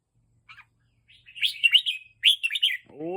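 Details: Red-whiskered bulbul kept in a cage and teased into an excited mood: two bursts of rapid, scratchy chirping notes, then a low human voice cuts in at the end.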